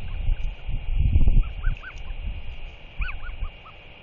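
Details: Royal Albatross chick, 121 days old, calling excitedly to a visiting adult at its nest in hope of food; a handful of short rising-and-falling whistled notes spaced irregularly, with a thump and low wind noise.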